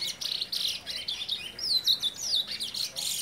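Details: A six-month-old, still-brown young chestnut-bellied seed finch singing in front of its father: a rambling, high warble of chattering notes and slurred whistles, rising and falling without a set pattern.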